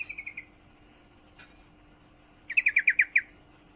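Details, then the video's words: Yellow-vented bulbul female in heat calling a male: a soft run of four descending chirps, then a loud, emphatic series of seven ringing chirps. "trucukan betina birahi memanggil jantan"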